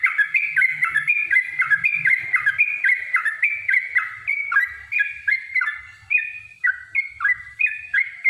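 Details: Yellow-vented bulbul giving a long fighting song meant to provoke other bulbuls into singing: a continuous run of bubbly, liquid warbled notes, each rising then dropping, about two per second for eight seconds.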